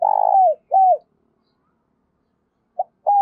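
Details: Spotted dove lure call for attracting doves to be trapped, giọng thổ style: a loud low hoarse coo sliding down at its end, a second shorter curved coo, a pause, then a clipped note and the next coo beginning.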